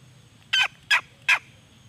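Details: Red junglefowl hen giving three short, harsh, evenly spaced calls, roughly one every 0.35 seconds, each a brief bright burst over a faint low background hum.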